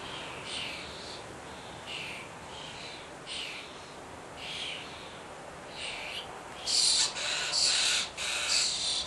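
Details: Starling chicks at feeding time: soft raspy hisses spaced about a second apart, then a sudden louder, denser burst of harsh begging near the end.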